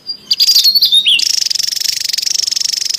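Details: Javan tesia calling in the wild, used for luring and as a master sound: a brief high whistled flourish leading into a sustained, very high, evenly pulsed buzzing trill lasting nearly two seconds.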